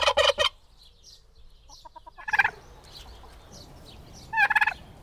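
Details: Turkey (Meleagris gallopavo) gobbling in three rapid, rattling bursts, one at the start, one near two seconds and one at the end, with quieter clucks between.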